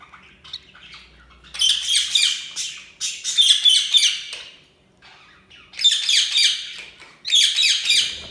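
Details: Budgerigars chirping in loud, dense bursts of scratchy warbling and squawks, each burst lasting about a second or more with brief pauses between, apparently indoors.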